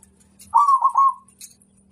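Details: Zebra dove, a local bird with a loud voice used to make other birds answer, giving one short bubbling, rolling coo phrase that lasts under a second, with a faint steady hum behind it.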